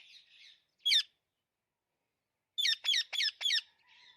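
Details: Alexandrine parakeet giving a soft raspy note, one sharp squawk, then a rapid run of four short harsh squawks close together, with quiet chatter at the end.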